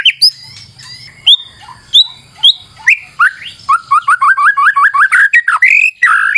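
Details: White-rumped shama singing to lure birds: spaced whistled notes that speed into a fast series of repeated chirping upslurs, ending in a harsher burst.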